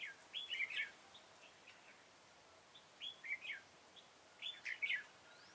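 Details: Red-whiskered bulbul heard while trapping the flock leader on 21 September 2017. It sings three bursts of cheerful warbled whistles, each a quick run of three or four notes, separated by pauses of about two seconds.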